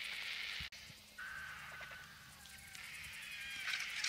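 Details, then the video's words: Scavenging vultures fight over a bull elephant that was killed in a fight, in the African bush beside a road. Rough, grating screeches and hisses are broken by a click, then a thinner drawn-out squeal before the noise swells again. "Vultures squabble over the carcass of a bull Elephant killed in a fight"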